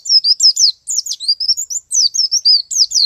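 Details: Male white-eye performing ngalas and nembak song: bright, very high chattering notes, slurred up and down in quick bursts, with two short breaks in an otherwise continuous stream.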